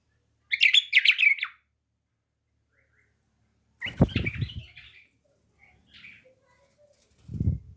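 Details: Pet bulbul sings a fast, chattering warbled burst, then a softer scratchy phrase and a few faint notes, mixed with low thumps and knocks.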